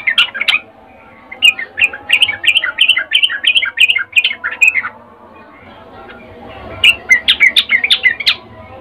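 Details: Female sooty-headed bulbul calling a male with a breeding-season call: fast bursts of bright, bubbling chirped notes in several runs, with a pause of about two seconds before the last run.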